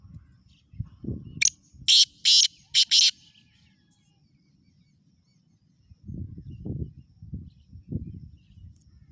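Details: Black francolin calling near Khushab: a brief harsh note and then three loud, grating, rasping notes in quick succession, with low rumbling background noise before and after.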